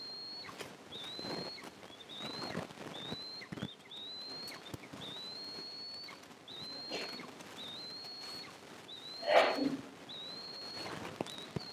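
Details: Eaglets and their mother feeding at an Eastern imperial eagle nest on July 22, 2024, recorded by a nest camera; clear high whistles that rise then level off repeat regularly, with soft rustles and one louder thump.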